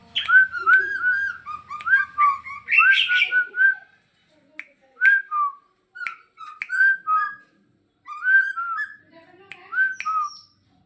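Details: Caged Bornean green leafbird during training, giving a rapid run of clear, slurred whistled notes with sharp clicks, then spaced phrases of downslurred whistles separated by brief silences.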